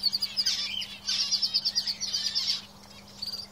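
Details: Canaries singing in a cage: bright, high trilled phrases of rapid repeated notes in bursts, pausing briefly between them, with a steady low hum underneath.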